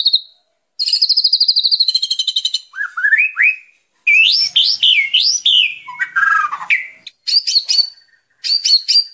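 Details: White-rumped shama (murai batu) training song for a young bird: a buzzy chattering trill, rising whistled slurs, then looping whistles and short high chips separated by brief silences.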